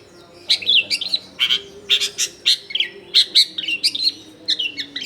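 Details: Long-tailed shrike song recorded at a house in a densely populated area, used as a lure for wild shrikes: a busy run of sharp chattering notes and short squeaky warbled phrases, repeated in quick bursts, over faint low background hum.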